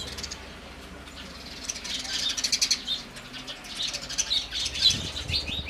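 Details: Quiet opening, then house sparrows break into rapid, high chirping in irregular bursts that grow louder toward the end.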